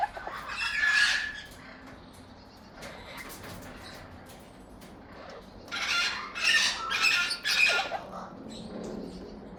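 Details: Amazon parrot youngsters calling in two groups of scratchy squawks, an early burst and then a livelier run of rasping calls after a quiet stretch.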